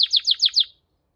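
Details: Brief canary song fragment of five quick, identical descending chirps in a rapid run, then silence.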